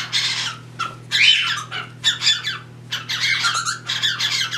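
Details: Pet cockatiels indoors, a pair mating while a third bird tries to join; harsh, noisy squawks in bursts about a second apart over a steady low hum.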